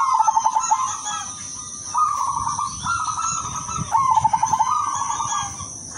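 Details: Melodious song of a silver zebra dove: repeated low cooing phrases, each opening with fast stuttering pulses and ending in a sustained purring note, about three phrases in six seconds. A constant thin high-pitched hum sounds in the background.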